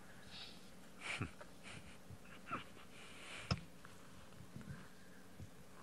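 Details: A young spotted eagle-owl chick at Djuma private game reserve, South Africa (first spotted 13 Nov 2019), calls from high in a tree while practising flying, giving short breathy wheezing hisses at uneven intervals as people talk quietly.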